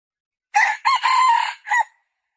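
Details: One clear crow from a red junglefowl, harsh and ringing. A short note and an upswept note lead into a drawn-out, level section, and a brief, dropping end note follows a small pause. No other sounds are heard.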